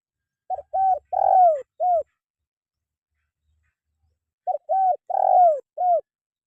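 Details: Spotted dove call used as a training sound for caged birds: two identical phrases about four seconds apart, each a pair of quick coos, a longer falling coo and a closing note, in near silence.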